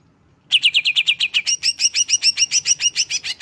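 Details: Greater green leafbird (Chloropsis sonnerati) song: a fast, bright run of about twenty sharp chirping notes, roughly six a second, shifting from slurred whistles to higher ringing chips.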